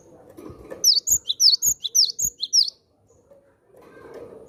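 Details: Gelatik batu, the cinereous tit, in lively voice summoning wild tits: roughly ten bright, high chirps delivered in a quick, even run lasting under two seconds, faint low noise around.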